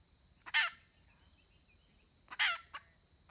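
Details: Wild red junglefowl hen, recorded 31 May 2023: two loud, grating, broadband squawks about two seconds apart, then a soft click, against a constant shrill insect chorus.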